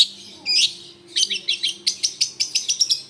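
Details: Long-tailed shrike singing, a recording used as a lure. A short sharp note, then quick scratchy phrases, then a fast run of about ten crisp, clicking notes. Faint low hum underneath.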